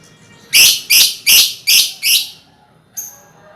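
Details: Lovebird colony sound meant as a lure to prompt trilling: a rapid run of five harsh, chattering squawks at about three per second, then a short pause and a thinner, fainter call.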